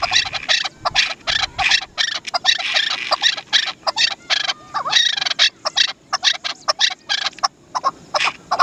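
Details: A Chukar partridge (Alectoris chukar), called desi chakor, gives harsh, clucking chuck notes in rapid bursts, about three a second, running on without pause.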